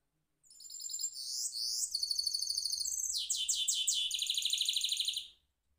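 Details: Goldfinch mule in a cage rolling its song, a loud continuous run of high twittering trills changing every second or so, some phrases sharply repeated notes about three per second, ending abruptly.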